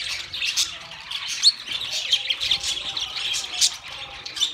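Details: Pet budgies in steady warbling chatter, bright twittering notes tumbling over one another with short squeaky chirps and no pauses.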